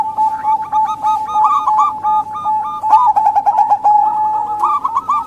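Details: Local female zebra dove calling, used as a lure to draw males that are slow to sing or wild doves: rapid runs of short, hooked cooing notes in irregular bursts over a constant steady background tone.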